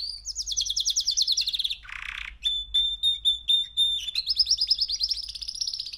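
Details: Three-month-old male canary in song: a rapid, slightly rising high trill, a short buzzy burst, a row of clear steady whistled notes, then a fast trill again.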